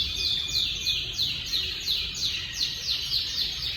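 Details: Timbrado canary singing: rapid series of descending trilled notes between mid and high pitch, repeated about three times a second in a steady rolling pattern, with faint low background hum.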